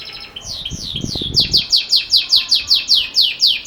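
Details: Belgian canary singing in the campainha (bell) style: a run of clear, downward-sliding whistled notes repeated about two and a half times per second, with a brief low rumble near the start.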